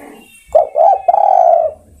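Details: Spotted dove calling other birds with a single phrase: a quick two-part opening note, then a long level mellow coo lasting over half a second, in a quiet setting.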